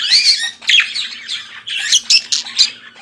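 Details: Budgerigar morning song from a pet bird: a short burst of buzzy warbling, then a quick series of sharp chirps, with a faint hum below.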